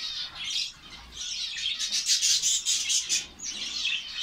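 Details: Finches in a colony, Saudi Arabia: steady dense high chirping, with a run of rapid sharp squeaky notes repeating about twice a second in the middle before the chatter softens.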